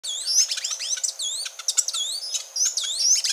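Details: Grey-and-gold tanager, a species resident in Colombia, Ecuador and Panama: dense, fast series of high, thin, sweeping whistles and sharp chirps, with overlapping looping notes throughout.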